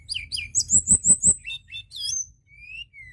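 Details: White-browed shortwing singing energetically, used as a lure recording for other birds: high chirped notes, then a run of four rapid downslurred whistles, a few scattered notes and a thin falling whistle at the end, over a low steady hum.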